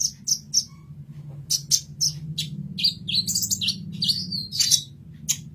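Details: Sunbird, kolibri ninja, in a recording for tutoring songbirds: rapid high, thin chirps and sharp twittering notes in quick bursts, with a steady low hum beneath.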